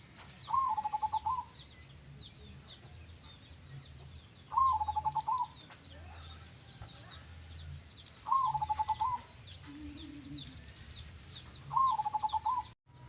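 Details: Local zebra dove described as songgo geni bedah bumi, giving klongklung song: four separate bursts of quick pulsed cooing, each about a second long and repeated roughly every four seconds, over soft chirping of other birds.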